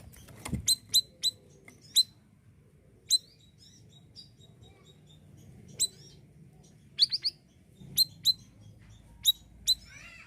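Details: Siri-siri bird singing actively as a training model for other songbirds: scattered high, sharp chirps, single or in quick pairs, spaced irregularly with quiet gaps and a faint low hum behind.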